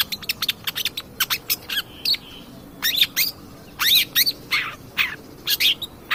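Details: Lure recording of a long-tailed shrike singing to provoke other birds, a rapid jumble of sharp clicks, harsh buzzy notes and brief whistled slurs, dense and continuous with short gaps.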